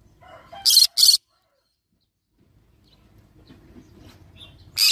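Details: Quiet chattering leads into a sharp doubled screech from a yellow-sided green-cheeked conure parrot, then a long near-silent stretch and another shriek starting at the end.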